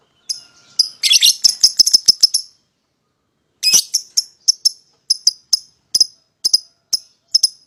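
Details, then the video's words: Lovebird song used as a therapy lure to prompt another bird to sing: a dense burst of shrill, clicking chatter, a pause, then evenly spaced sharp high ticks about twice a second. "PASANGAN LOVEBIRD PAUD,!Pancingan Memanggil Lawan Agar Ikutan Bunyi"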